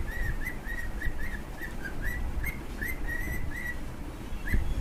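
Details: Pet cockatiel pair singing with a run of short whistled notes, mostly level or rising slightly, evenly spaced about four to five per second, over constant low-pitched background hum.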